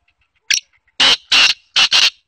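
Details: Trained female black francolin calling up close: a sharp click, then four loud, harsh, noisy bursts in two pairs, each about a quarter second long.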